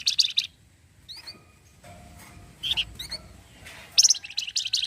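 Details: Chattering orange-headed thrush in the 'cretetan' manner said to get other birds answering: brief rapid clusters of high notes at the start and end, with thin upslurred whistles and isolated chirps between them.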